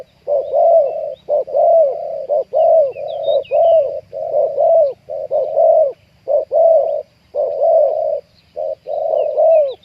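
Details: Spotted dove calls used for luring and trapping wild doves, a deep-voiced 'ku-ang' bird: steady low coos repeating about once a second, overlapping phrases suggesting more than one caller, faint higher chirps from other birds.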